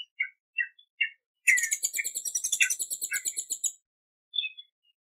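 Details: Several short high chips from a hummingbird, then a dense two-second buzzy, twittering trill, ending with a single thin note.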